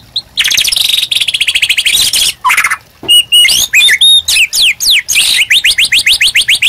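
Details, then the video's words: Intense White-rumped shama song used to coach other birds: a fast high trill, then a series of sharp whistles and down-swept notes, ending in a quick string of rising slurred whistles. "MURAI BATU GACOR UNTUK PANCINGAN DAN MASTERAN"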